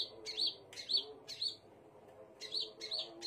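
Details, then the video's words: Thin, high arched whistles of a scarlet minivet in two short groups, about two notes per second, separated by a brief quiet gap, with a faint hum beneath. "KICAUAN BURUNG SEPAH RAJA"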